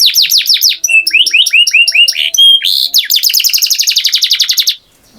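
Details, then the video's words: A canary pours out song: quick descending whistles, a brief clear pure note, then a long rapid rolling trill that stops abruptly into near silence. "Canary Singing Beautifully"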